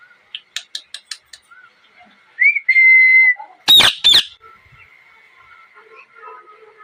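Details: Ringneck parrot producing a quick sequence of dry clicks, a short rising whistle and a held tone, then two loud raspy squawks, with faint chatter afterward.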